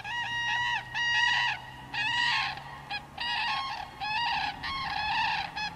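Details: First common cranes of the year, met on 4 March 2013 as a sign of coming spring: loud, bugling trumpeted calls in overlapping bursts of about a second, several birds calling together, with steady low hum behind.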